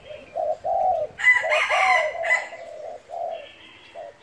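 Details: Spotted dove in gáy thúc and thúc gù cooing: a run of mellow, hooting coos in steady phrases, overlapped midway by a loud rooster crowing, then the low coos carrying on alone.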